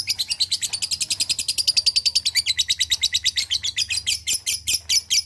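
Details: Long 'ngekek' chatter from a lovebird, played to spur silent lovebirds into singing: dense, rapid, harsh high notes run on without a break, slightly slowing and loosening toward the end.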